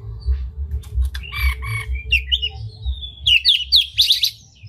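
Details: Singing oriental magpie-robin, tail open, meant to excite rival magpie-robins: scratchy notes, then a long sliding whistle leading into loud looping whistled phrases; low droning hum throughout.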